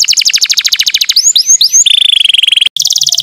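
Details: Canary lure song to wake up quiet kept canaries: a rapid bright trill, three curling whistled notes, then a smooth buzzy rattle and a renewed pulsed trill after a tiny break.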